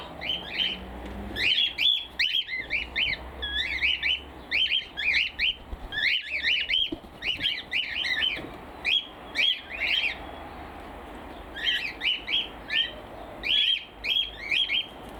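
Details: Cockatiels squawk loudly on a foggy winter morning in an outdoor aviary, in rapid, harsh, repeating bursts of high, scratchy notes. Such outbursts are often triggered by another bird flying over squawking, though none was heard this time.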